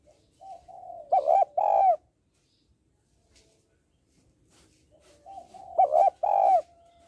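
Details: Female spotted dove calling to stimulate males. Two phrases of low, throaty cooing each swell into a pair of loud, mellow coos, with near silence between the phrases.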